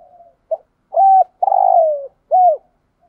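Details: Caged decoy spotted dove in 'thúc gù' cooing: a quick soft note and a level hoot, then a long rolling coo that sags in pitch, closed by a curved hoot. Background silent.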